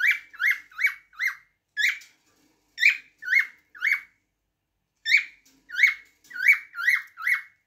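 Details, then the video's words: Cockatiel singing: a series of short, bright whistled notes that rise and then fall, with strong overtones, repeated in quick groups of three or four and separated by brief pauses. "تغريد طائر الكوكتيل"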